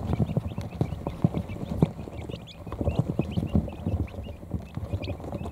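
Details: Tired quail chicks, a few hours old, finding their places under an electric heat plate in a brooder; scattered high, clipped peeps recur every fraction of a second over low knocks and shuffling sounds.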